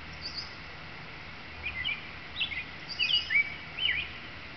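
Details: Male American robin singing from a tree above a nest area, after fighting off another male robin; short warbled, rising and falling phrases in loose groups, over steady background noise.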